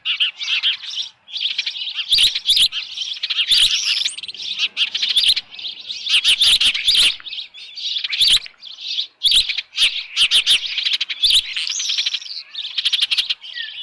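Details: Osprey at a nest at Dunrovin Ranch with a headless fish, 6:41 PM on 10 June 2018: rapid series of high, sharp whistled chirps in overlapping bursts and short pauses, with scattered dull knocking thumps.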